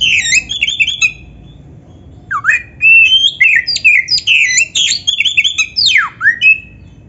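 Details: Black-breasted Oriental magpie-robin (kacer) in a tutor recording full of mimicked material: loud rich phrases of squawky slurred notes and bright sweeping whistles, a pause after the first second, then rapid varied bursts ending with a steep falling sweep.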